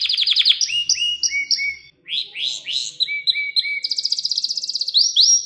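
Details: Canary song meant for teaching young birds: quick trills, flat whistled notes dropping in pitch, rolling chopped phrases and a rapid high rattle, with bright rising notes at the end.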